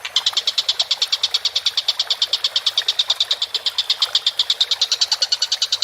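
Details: Collared kingfisher in vigorous voice: a sustained, rapid series of sharp, harsh notes at a steady pitch and tempo, with no other clear sounds.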